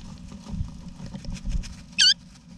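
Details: An Australian backyard nest box in November 2018 holds wild eastern rosella parents and their babies; after faint rustling, one loud, bright, curling high note sounds near the end.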